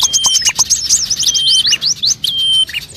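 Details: Bird lure sound meant to attract all kinds of birds: dense high chirps and quick rising and falling whistles, with a few steady thin whistled tones and sharp clicks underneath.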